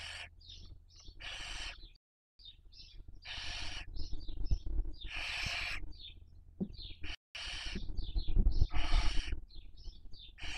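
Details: Barn owls at a nest watched by webcam in Cabañeros National Park, Castilla-La Mancha, Spain, during the 2023 breeding season while raising young; long harsh broadband hisses repeat in quick succession, mixed with short high chirping notes and low background rumble.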